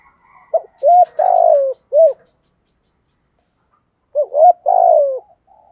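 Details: Decoy spotted dove giving two thổ-style coo phrases several seconds apart: clipped hoots, a longer falling note and a closing short hoot, with a faint high chirp during the first phrase.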